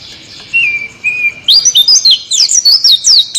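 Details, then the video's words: Oriental white-eye in rolling song: a few lower whistled notes lead into a fast, continuous run of high, sweeping, twittering phrases. "suara burung pleci ngeroll"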